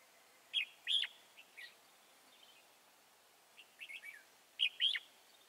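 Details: Red-whiskered bulbul, a wild-caught bird being trapped at Chùa Hương on 24 March 2018, sings bright, warbling whistled phrases in quick clusters with short gaps, some notes louder and sharper, over a low steady hiss.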